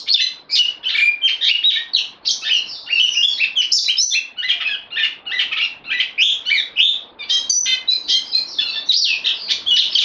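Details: Caged bulbul, lent to a new keeper and recorded 12 September 2020, pours out dense, varied chattering warbles with fast changes of pitch and brief gaps between bursts.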